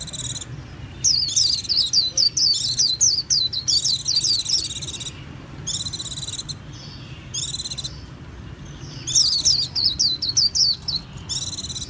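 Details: Extended twittering from a Japanese white-eye, with long phrases of rapid, high, warbling chirps and short buzzy interjections, repeated over several phrases.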